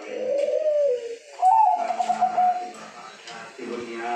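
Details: Zebra dove (perkutut) gives soft, mellow cooing notes, drawn out and gently wavering, in three phrases over four seconds, with faint room noise behind.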